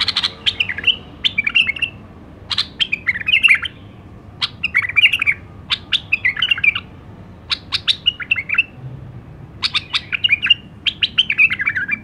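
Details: White-eared bulbul, called the Iraqi nightingale, singing about eight short phrases in a row, each a sharp click followed by quick chattering whistled notes, roughly every one and a half seconds.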